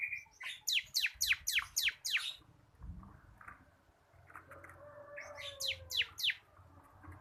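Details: Bar-winged prinia, local crystal-cotton type, in captivity, singing 'ngebren' for use as a lure to set other birds singing: a quick volley of shrill falling notes, a quiet gap with a soft drawn-out whistle, then a shorter volley.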